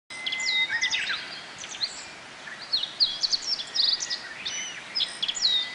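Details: Several Japanese white-eyes gather on bottlebrush flowers to feed on nectar at Kobe Municipal Forest Botanical Garden, Japan, on 14 June 2018, during a dry break in the rainy season. They give many thin, very high chirps and short slurred notes in scattered bursts, with a steady faint tone behind.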